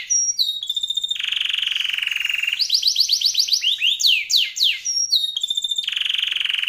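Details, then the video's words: Canary in steady song with a luxurious, lengthy delivery: a long sustained buzzy roll, then a run of quick rising whistled notes and sweeping slurs, returning to a high buzzing roll. "Kenari Gacor Isian Lagu Mewah, Durasi Panjang"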